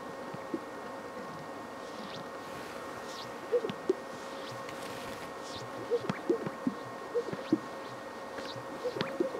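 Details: Greater sage-grouse at a lek in Fremont County, Wyoming, at peak breeding season during mating events: soft, irregular popping sounds, several birds overlapping, over a steady background hum.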